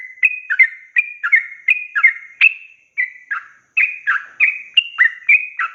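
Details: Long 'ropel panjang' song of a yellow-vented bulbul used as a tutor for young birds; bubbly paired notes tumble quickly, interrupted by one short gap before the rapid chattering resumes.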